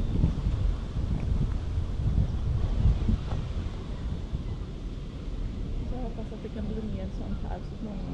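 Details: Gusty wind rumble over the microphone with distant traffic, and a person's voice speaking toward the end; no animal calls stand out.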